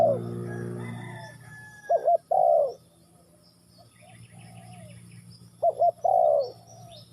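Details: Spotted dove from Ninh Thuận calling twice: each phrase is a quick pair of short coos followed by a longer, falling, mid-pitched coo. A low steady hum and a harmonic drone fill the opening second, and faint chirps from other birds sit higher up.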